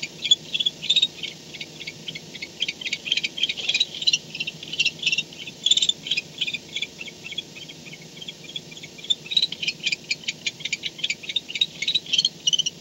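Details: Barn owl returned to the nest box at 4:38 am on 2-10-16, recorded by a nest cam: scratchy, high ticking chatter comes in clustered bursts, thinning around the middle and then picking up again, over a soft background hum.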